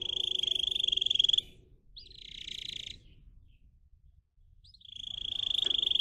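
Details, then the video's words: Pet singer canary kept for song training, delivering a fast, buzzy, high rolling trill for over a second, a short pause, a second trill, then a long quiet gap before the rolling trill returns and builds. Faint low rumble underneath. "Canary song video - type of song"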